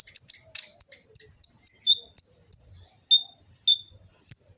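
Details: Sunbird known locally as kolibri ninja, from Gresik, East Java: a fast series of high, slightly descending chirps, about three a second, with a few lower whistled notes between them. Used as a lure song.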